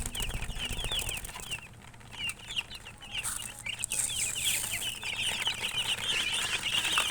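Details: Chirping chicks give quick, bright, slightly downslurred peeps roughly three or four per second, thinning briefly in the middle before a brief hiss and denser chatter return.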